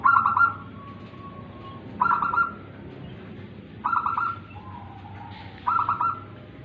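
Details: Local tame zebra dove singing repeatedly: rolling mellow phrases of quick pulses, each followed by a softer drawn-out tone, repeated about every two seconds, four times, with steady low background hum.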